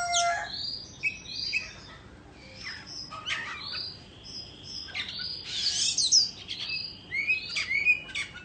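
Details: Indo white-rumped shama song during a dance display, quieter and more distant, with scattered whistled phrases, buzzy bursts and rising chirps over a faint hiss of background noise.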